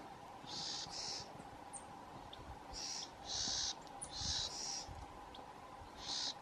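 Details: Gray flycatcher on the Atascosa Highlands Christmas Bird Count, 2 January 2016, giving short, high, buzzy notes, singly and in quick pairs, at irregular intervals over a steady low hum.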